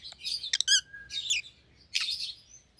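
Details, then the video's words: Rosy-faced Lovebird chirps, a pet white-headed opaline, with a rapid pulsed squeak, a drawn-out thin whistle and harsh screech, over faint room hum. "Rosy-Faced Lovebirds - Chirping and Call Sounds"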